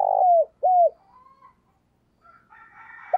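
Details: Decoy spotted dove calling wild birds in the morning: two low falling coos, followed by faint higher chirps and twittering from other birds.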